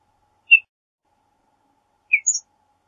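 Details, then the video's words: Western bluebird giving brief soft chirps: one single note, then after a pause a lower note followed by a higher, thin double note; silent background otherwise. "Western Bluebird Song, Western Bluebird Call! Sound!"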